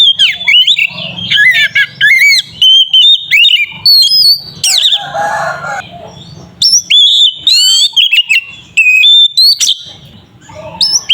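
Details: Energetic oriental magpie-robin song for provoking another bird: rapid chains of whistled notes, slurs and upsweeps, with a brief softer, lower warbling section in the middle.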